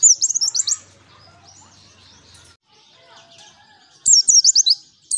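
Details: White-eye (pleci) song used as a lure: a short burst of high, rapid chirping, a long quieter stretch with faint low hum and soft distant notes, then another quick high trill.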